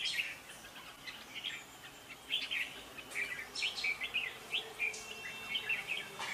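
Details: Red-whiskered bulbul in competitive song, a recording for luring trapped birds: short whistled phrases with pauses, fainter at the start and lively from the middle on, with a faint steady background hum.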